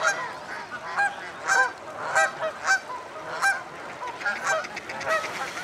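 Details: Common starlings gathering to roost at Slimbridge Wildfowl Trust, Gloucestershire, UK: a dense chorus of many birds, with overlapping whistles, clicks and rattling notes and frequent bright harsh bursts rising and falling in loudness.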